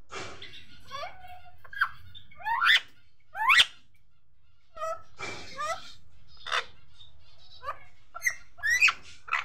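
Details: {'caption': 'Pet Indian ringneck parakeet talking indoors, uttering a series of squeaky, raspy speech-like syllables with upward sweeps and pauses, over a low steady hum.'}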